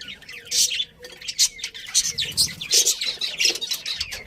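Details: Budgerigar colony chattering happily: loud pulses of sharp high chirps every half second or so, mixed with softer squeaky warbles and a low background murmur.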